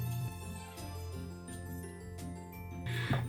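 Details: Soft tinkling background music with chiming notes, and no animal voices.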